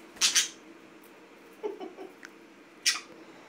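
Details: One of two green budgerigars being hand-fed dinner gives two quick harsh, scratchy chirps, a soft low murmur, then one more sharp chirp, in a quiet room.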